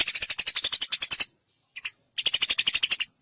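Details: Eurasian tree sparrow, fast and clear, for training other songbirds: a run of rapid, sharp, high chirps, a lone short note after a pause, then another quick chirping run.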